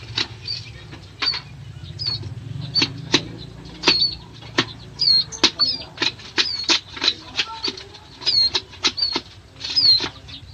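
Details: Bar-winged prinia, known locally as ciblek sawah, giving repeated short high notes and thin whistled upslurs in quick irregular bursts, with sharp clicking ticks between phrases and a low hum underneath.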